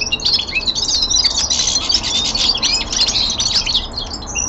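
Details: Young male common linnet indoors pouring out winter descant, an unbroken stream of rapid high twittering and buzzy chatter lasting several seconds.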